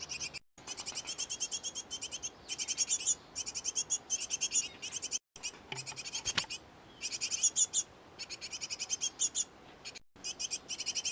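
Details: Great tit pair feeding in a nest box set up late in the year; long series of rapid high chirps in repeated bursts, with several short silent breaks and a faint click.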